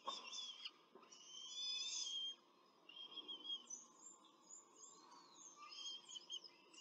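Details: Peregrine falcon pair with chicks at a Rome nest during a brief feeding, 21 April 2024: a loud, thin squealing burst lasting about two seconds, then scattered high, wavering peeps and chitters over a faint hum.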